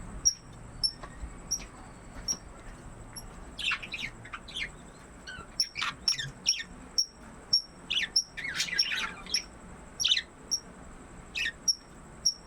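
Budgerigars give harsh, scratchy squawks and warbles over a steady, rapidly repeated high chirp.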